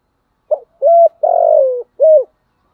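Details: Spotted dove used as a decoy giving one full cooing phrase in the "giọng thổ" style: a brief opening note, a level coo, a long slowly falling coo, then a final short coo, in silence.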